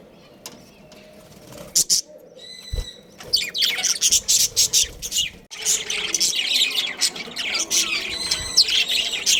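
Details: Budgerigars from a breeding pair: scattered clicks and short chirps at first, a few clear repeated tones, then sustained busy high warbling and squeaky chatter to the end.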